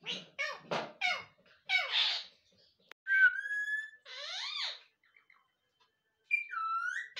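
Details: Pet rose-ringed parakeet talking indoors: a run of short harsh speech-like syllables, then a few upward-sweeping whistled notes and a final slurred whistle after a brief pause.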